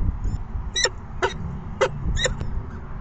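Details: Peregrine falcon chicks begging at an evening feeding at 6 PM on 14 May 2021: four harsh, broadband screeching calls spaced about half a second apart, over a steady low rumble of wind or mic noise.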